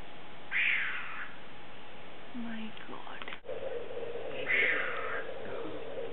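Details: Female Sri Lanka frogmouth calling at Surla, Goa, giving two harsh, rasping, somewhat cat-like screeches about four seconds apart over a steady low background hum.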